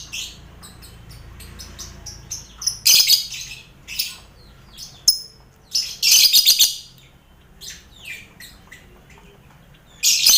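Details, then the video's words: Colony of lovebirds kept together with finches and quail in an aviary, a busy setting used as mental training for contest lovebirds; bursts of harsh, high chattering chirps recur between quieter pauses, with scattered short ticks and faint background rumble. "Sound Koloni Lovebird"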